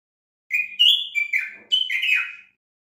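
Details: Common bulbul, the Moroccan bulbul known locally as 'el watwat', singing on a tutoring recording meant to teach captive bulbuls their song: two clear, fluty whistled phrases, the first rising then stepping down, the second warbling and falling, in silence.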